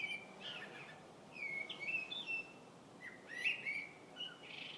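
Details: Unidentified bird singing in February, giving short whistled phrases with rising and falling slurs, repeated with pauses of about a second, soft against low background noise.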